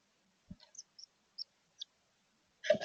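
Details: Female chickadee inspecting a newly built bird house, chirping with her mate outside; a few short, very high chips spaced apart, a soft thump at the start and a louder rustling scrape at the end.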